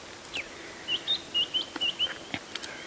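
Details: White-browed Scrub Robin singing merrily next to a safari vehicle at about 6:52 AM on 21 July 2016, near lion cubs in a South African game reserve: a series of short, high, slightly varied whistled notes, about five in under two seconds, over faint hiss.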